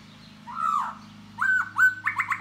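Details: Khướu da bò laughingthrush courting a female with song and dance: a rich slurred whistle, a short gap, then a level whistled note and a quick burst of rising notes, with constant low hum behind.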